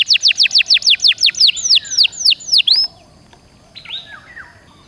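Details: Canary song for encouraging a quiet pet canary to sing: about twelve loud, sweeping downslurred whistles in quick succession, then a faint soft warble after a short pause.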